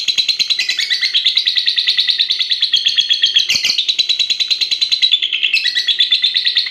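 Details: Lovebird of fighter type, aged six and a half months, singing a long competition-style song lasting over a minute: a continuous fast chattering trill of high buzzy chirps, about three per second, with almost no pauses.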